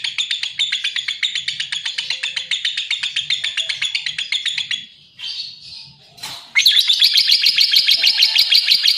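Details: Lovebird in a fast run of high chirps for about five seconds, a brief pause with softer squeaks, then a louder burst of dense chattering.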